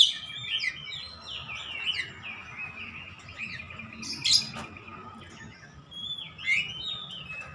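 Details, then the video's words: Oriental magpie-robin in 'ngeplong gacor' song, kept caged for home bird training: quick sequences of sweet falling and rising whistles and chirps, with one sharp loud note near the middle, against a steady hiss and low background rumble. "AUTO NGEPLONG GACOR KACER"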